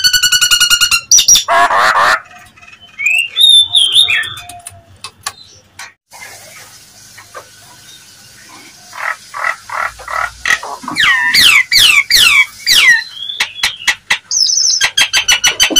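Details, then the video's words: Nias hill myna provoking call to make other mynas respond: loud harsh rasping bursts and clear whistles, a quieter middle stretch, then rapid sweeping whistled notes and ringing calls. "seketika nyaut dan emosi jalak nias manapun dengar suara pancingan jalak nias ini"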